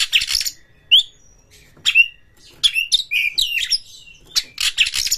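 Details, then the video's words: White-rumped shama, a caged bird provoked to fight a rival, excited with tail spread: loud varied phrases of whistled slurs and harsh buzzy bursts, separated by short pauses. "kacer MENCARI LAWAN TARUNG Pancingan Kacer GACOR bikin jebolnya birahi EMOSI BONGKAR ISIAN buka ekor"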